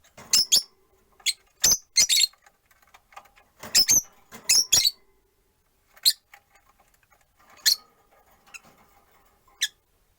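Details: Four caged Rosy-faced lovebirds by a window, one on a perch, give sharp, shrill, high chirps in short bursts, often doubled or tripled, scattered unevenly through the recording with quiet gaps between.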